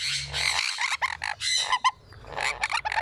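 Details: A one-week-old sun conure chick being fed by a parent begs with harsh, raspy bursts in quick pulsing runs, high and grating, with brief pauses between bouts.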